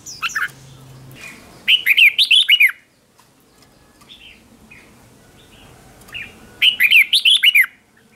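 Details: Red-whiskered bulbul decoy song meant to lure wild bulbuls, in competition-singing style: two bright warbled phrases of quick rising and falling notes, about a second each and four seconds apart, with near silence between.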